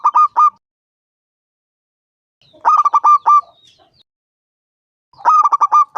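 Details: Local zebra dove, 5 years old, gives three bursts of quick, rolling staccato coos, mid-pitched and stuttering, a phrase about every two and a half seconds with silence between; used to lure other doves into calling.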